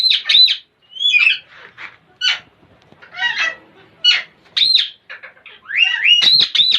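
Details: Parrots giving weird, funny noises: a jumble of sharp chirps, rasping squawks and whistled slurs in irregular bursts, some notes sliding up and down, loud and close throughout.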